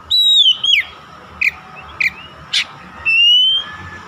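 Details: Lure song of an Oriental magpie-robin (kacer), used to make hard-to-start birds sing. A long clear whistle swoops downward, then come short sharp chips, and the phrase ends with a long rising whistle.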